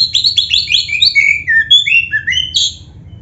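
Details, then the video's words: Black-breasted oriental magpie-robin (kacer dada hitam), a caged bird whose song is played to make other caged birds sing. A rapid run of loud whistled slurred notes, mostly rising and falling between high pitches. "SUARA BURUNG KACER MASTERAN ‼️ Stel Suara ini Biar GACOR | Pasti Nyaut Buka Ekor"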